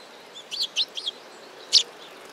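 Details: Chirping sparrows at a Tenmangu shrine, 15 November 2016: three quick high chirps in a row, then a pause and one loud, sharp note.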